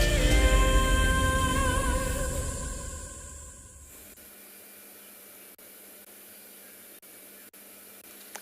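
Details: A sustained musical chord swells and fades over the first four seconds, then only faint hiss with a few clicks remains; no animal voice is heard.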